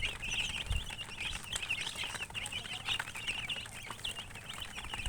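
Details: Murgi, colored chickens, chirping. Busy, shrill peeping repeats without pause against a faint low rumble.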